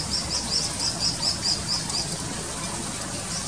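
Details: Malaysian pied fantail chicks waiting for food from their mother give thin, very high squeaks, about four or five a second for two seconds, then fall quiet over a low background rumble.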